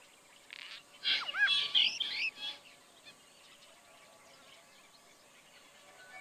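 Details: Brahminy starling recorded in Kaohsiung, Taiwan, on 16 June 2020. A short burst of varied notes: swooping whistles, bright chirps and a rolling chatter over about one and a half seconds, then near silence with faint distant chirps.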